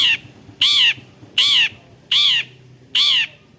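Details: Long-tailed shrike, a mimic of other birds' sounds, giving five loud harsh rasping calls spaced evenly under a second apart, each broad and grating, in a quiet setting.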